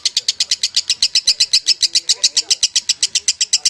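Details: Lovebird, kusumo, in long ngekek song: quick, regular high chirps roughly six per second, bright and sharp, with faint low murmuring in the background.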